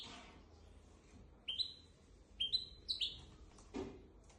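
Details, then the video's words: Goldfinch x canary hybrid tutor song for training goldfinches and canaries, four sharp whistled notes gliding upward in quick succession, followed by a brief rustling noise. "تغريد طائر الهجين ميسترو حفاضه لتعليم طيور الحسون والكناري بدون اخطاء"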